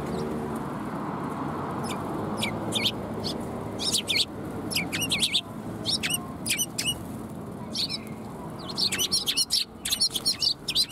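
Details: At a Tenmangu shrine on the afternoon of 18 March 2021, sparrows arriving for food chirp repeatedly. Sharp high notes come in irregular runs, busier toward the end, above a constant low traffic drone.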